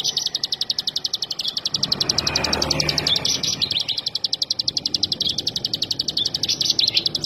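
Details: Olive-backed sunbird (ciblek) song: a long, rapid run of high, sharp chips, about six per second, steady throughout, briefly masked near the middle by a low rushing noise.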